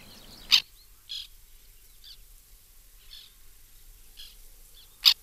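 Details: White-winged terns at their nesting colony in 2021: harsh, rasping calls, two loud ones about four and a half seconds apart, with fainter raspy calls repeated roughly once a second between them over quiet background.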